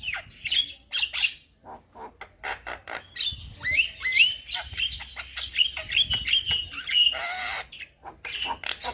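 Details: Young Javan myna, singing hard with a varied repertoire that sets other mynas answering: scratchy clicks and squawks, then a series of thin, high whistled notes strung together, ending in a harsh buzzy burst.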